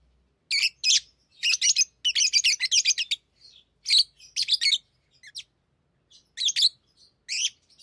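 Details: Tame lovebirds chattering during ring play: clusters of shrill, rasping chirps repeated in quick groups of three to six, pausing briefly between bursts in a quiet room.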